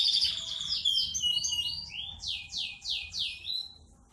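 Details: Yorkshire canary singing a long roll: a quick high trill leads into a series of five or six loud, sweeping downslurred notes spaced about half a second apart, fading out.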